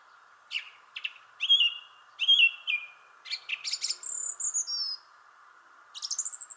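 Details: Thrush singing from a tree in a shrubbery: varied short phrases of clear whistled notes and buzzy trills, some rising, others falling, separated by brief pauses, over a steady low background hum.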